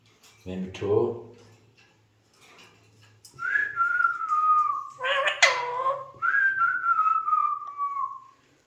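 A male Alexandrine parakeet utters a short speech-like phrase, then long clear whistles gliding slightly downward, broken by a harsh squawky burst.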